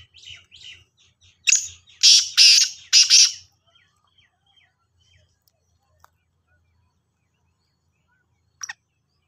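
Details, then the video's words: Black francolin (kala Sindhi teetar) calling: faint scratchy notes and a low hum lead into a loud grating phrase of four harsh notes, then quiet with a few soft clicks and a brief sharp sound near the end. "Kala Sindhi Teetar ki Awaz | black Francolin Voice"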